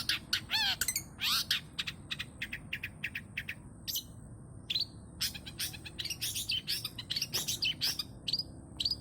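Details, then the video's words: Long-tailed shrike in full, busy song packed with imitated fills, meant as a singing lure: sharp high clicks and chips, a brief descending slurred phrase, then clusters of rapid staccato notes and short whistles over low background noise. "CENDET GACOR FULL BANYAK ISIAN SUARA BURUNG"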